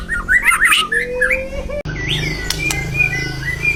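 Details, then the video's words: White-rumped shama singing steadily, readied for competition: a quick flurry of twisting whistles, a long, steady rising tone, then, after a break, a few softer gliding notes over background hum. "murai batu gacor siap untuk di lombakan"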